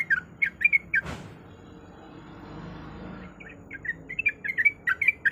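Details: Female sooty-headed bulbul calling the male: bursts of short, bright chirping notes, then a sharp click and a quiet pause of about two seconds before the quick chirps resume, over a faint low hum.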